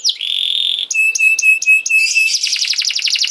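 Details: Canary song for young canaries to learn from: a sustained buzzy note, then evenly spaced high pure whistles repeated about five times, ending in a rapid rolling trill.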